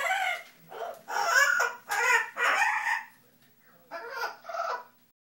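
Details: Indoor pet bird, male, vocalising over a spot he judges good for a nest; harsh, raspy squawk-like notes in five close bursts, then two shorter ones after a pause.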